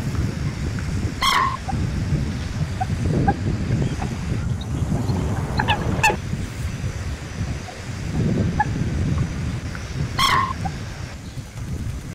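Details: Common moorhen giving two short, sharp, abrupt calls about nine seconds apart, each with a fainter note in between, over strong, steady wind rumble.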